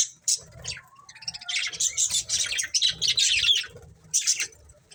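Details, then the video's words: Pet budgies give a dense run of scratchy, warbling chirps and high chatter, rising into a busy stretch midway, over faint low rumble. "Cute Budgies Chirping Sounds"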